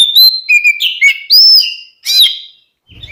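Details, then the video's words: Song of twin Oriental magpie-robins (Kacer), used to provoke rival birds into answering: long, sweet, pure whistles that slur up and down, broken by scratchy buzzes, then a short quiet gap before a soft closing note. "SUARA BURUNG KACER KEMBAR, bikin lawan EMOSI ikutan nyaut"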